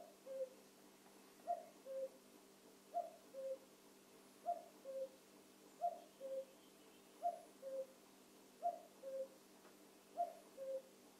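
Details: Cuckoo calling in the evening: a steady series of two-note 'cuck-oo' calls, the second note lower, with pairs repeated about every one and a half seconds over a quiet background hum.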